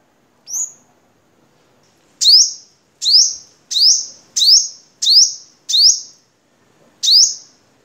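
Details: Crimson sunbird from Vietnam, song used for training cage birds: high, steeply rising, sharp notes repeated roughly every three-quarters of a second, in a series of seven after a lone opening note.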